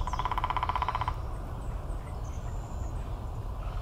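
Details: Downy woodpecker drums one rapid, even roll of about a second, in the classic moderately fast pattern of roughly 20 beats per sequence, repeated after a short delay, with low wind or traffic rumble and faint high bird notes.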